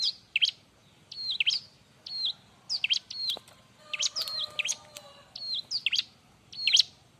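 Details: Loud, lively Bar-winged prinia song used as a tutor recording for other birds: high whistled phrases with flat notes dropping into sharp sweeps, repeated roughly every half second to second, with faint lower tones midway.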